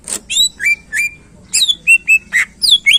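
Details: Loud greater green leafbird song used to excite contest birds: clear whistled notes and sharp high chirps in a brisk, varied sequence, some flat whistles, some steeply falling.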